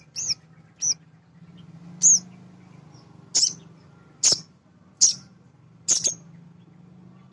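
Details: Thin, high chirps, some with a quick rising-falling twist, from a male sunbird known locally as sogon, used to excite other birds into song. The notes recur about every second over a faint low hum.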